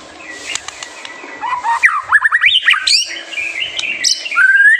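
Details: White-rumped shama, a lively singer used as a master song to provoke young birds to sing; rich sequence of rising and falling whistles, slurred notes and sharp chips, growing louder toward the end with a long upward whistle.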